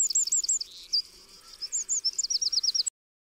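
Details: Eurasian wren giving quick high-pitched runs of clipped, repeated notes, a short lull, then another rattling series of five to six notes before the sound cuts off abruptly into silence.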